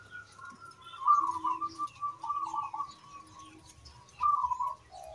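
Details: A local zebra dove (Geopelia striata) in full song, suited as a lure to stimulate other doves to sing, gives soft, rolling, bubbly coos in three bursts, over a steady faint whistle-like tone and low hum.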